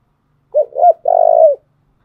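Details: Spotted dove song used as a lure for decoy training: one clear phrase of two brief rounded coos leading into a longer, lightly quavering coo, with quiet all around.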